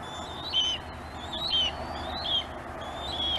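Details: At a Gabriola nest watched by webcam, a bald eagle guards prey while another waits to steal it; four loud, high whistled calls, each dropping slightly in pitch, evenly spaced under a second apart.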